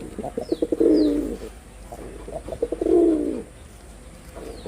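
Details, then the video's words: Male red-bordered wild pigeon performing two full coos: a run of short low stutters leading into a long, throaty, warbling note, roughly two seconds apart, with a couple of thin chirps from small birds. "লাল বডার বুনো কবুতরের অসাধারণ ডাক || Pigeon Sound Effect || Male Pigeon Super Performance"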